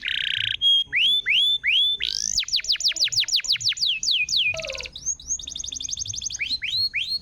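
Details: Canary singing to make a silent canary sing again: a buzzy burst, rising whistled notes, a rapid run of descending sweeps, a short rattle, then a fast even trill and more rising slurs.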